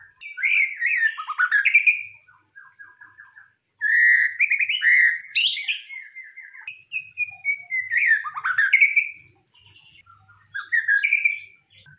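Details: White-rumped shama song on a lure recording: varied phrases of sweeping, looping whistles, short rapid trills and high sharp notes, delivered in bursts with brief pauses, faint low rumble beneath.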